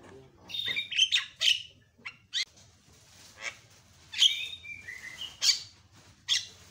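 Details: Javan myna calling loudly to provoke other mynas: scattered sharp chirps and squawks with brief clear whistles, separated by quiet gaps.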